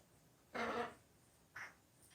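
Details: A pet macaw indoors with a bout of sneezes: a harsh, explosive half-second burst with a faint rasping tone, then a shorter, softer snort a second later against quiet room hum.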